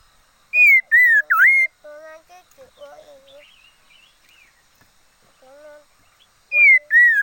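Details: Red-faced liocichla decoy bird singing: loud clear whistled phrases near the start, rising and falling with a sharp dip, then softer lower warbled notes, quiet gaps, and two more loud whistles at the end.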